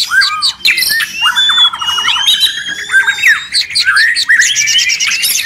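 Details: Busy White-rumped shama song recorded for songbird training: rich whistled notes and long sliding whistles overlap quick stuttering trills and scratchy chatter, delivered continuously with little pause.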